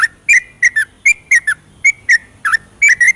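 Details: Yellow-vented bulbul singing vigorously at night in the rapid ropelan style, used as a lure to stir reluctant birds into song: short bubbling whistled notes with a rising-falling shape, delivered in quick irregular pairs and bursts.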